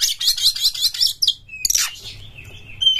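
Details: Singing Oriental magpie-robin, an energetic lure bird: a quick run of high, rattling warbled notes, a sharp piercing burst, then a long steady whistle held to the end of the phrase.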